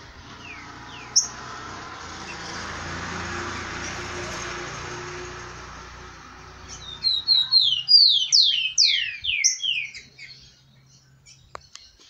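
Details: Tico-tico (rufous-collared sparrow) kept by a bird breeder, an excited male with females: after about seven seconds of soft background hiss, a fast run of high, slurred whistles sweeps downward, each note dropping in pitch, then fades out.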